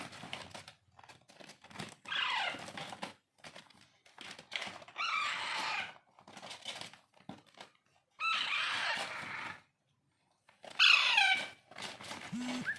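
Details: Hand-tamed Alexandrine parakeet chicks, or raw parrot, being hand-fed: four separate bursts of grating, wavering begging cries, each one to two seconds long, alternate with crackling handling noises and short quiet gaps.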